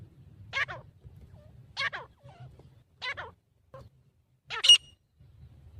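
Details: Grey francolin declaring its territory, mostly at morning or evening: four separate notes roughly a second apart, each with a dropping tail, the final one sharper and louder, with a soft low rumble underneath.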